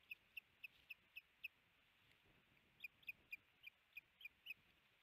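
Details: A male osprey at a Missoula, Montana nest on 17 April 2019 alerts as the female arrives carrying a large fish. Rapid bursts of short, sharp, high chirps come about four a second, with a brief pause midway, over a low hiss.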